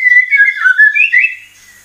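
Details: White-rumped shama (murai batu) lure sound used to make birds sing: under two seconds of smooth, wavering whistles holding a mid pitch with a slight rise before fading out.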